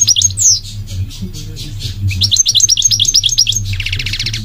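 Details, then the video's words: Goldfinch song of fast liquid twitters and bright slurred whistles, building into a rapid chattering run and closing with a buzzy trill, a low hum underneath. "The elegant migratory goldfinch sings the most beautiful singing"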